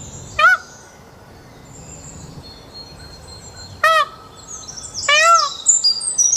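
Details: Indian peafowl calling at Dekhatbhuli, Kanchanpur, far western Nepal: three loud, nasal, harmonic wails, each a brief bent note, spaced a few seconds apart, over a steady background of high, thin chirping from small birds.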